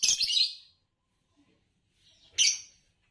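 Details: Two strident, grating chirps from a green Fischer's lovebird, a competition champion, the first longer and rough, the second shorter after a two-second gap, with a faint softer note just before it.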